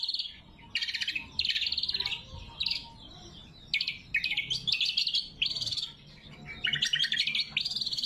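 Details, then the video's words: Loud, sharp lesser green leafbird song meant to call rivals and train birds to sing: a string of brief chattering trill bursts, varied in pitch, some dipping lower, broken by frequent short pauses. "Suara Burung Cucak Kombo Gacor | Masteran & Pikat Cucak Kombo"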